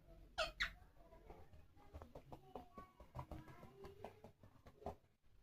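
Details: Parrot talking indoors: two loud, harsh squawks at the start, followed by a run of soft, speech-like syllables with low room murmur beneath.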